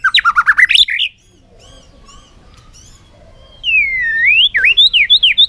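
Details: White-rumped shama in a singing contest on a sunny afternoon: a rapid trill of wavering whistles, a pause, then a long sweeping whistle and a quick series of repeated looping notes.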